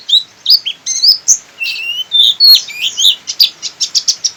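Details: Javan white-eye of the local buxtoni type from Sukabumi, singing in the persistent open-beak style: rapid high twittering of slurred whistles and chirps, ending in a quick run of about ten sharp, evenly spaced notes.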